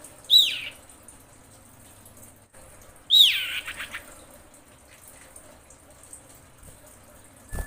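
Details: Female common iora in breeding condition summoning a male: two loud, steeply descending notes about three seconds apart, each trailing off raspily, with quiet background between and a soft knock at the end.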